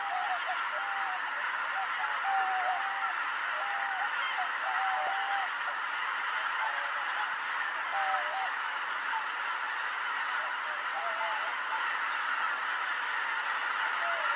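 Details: At Kotomo-numa pond on 13 October 2019 at 17:25, after the 17:05 sunset, a large flock of greater white-fronted geese arrives to roost. Overlapping high, yelping honks form a dense roar, with clearer single calls above it.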